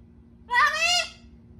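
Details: Pet Amazon parrot at home calling for its owner: a single half-second nasal, harmonic-rich call that rises slightly and holds steady, then breaks off, with a low room hum behind.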